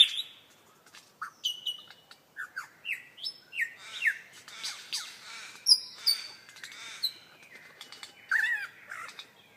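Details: Beatboxing lyrebird running through mimicked phrases: a series of short whistled slurs and upward-flicking notes, interspersed with sharp clicks and buzzy rattles, rhythmic and varied throughout.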